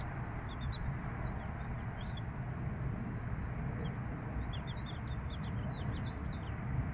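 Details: Mother hen and her 3-day-old chicks: scattered thin peeps early on, then a denser cluster of high, falling chirps in the second half, against heavy low-frequency noise.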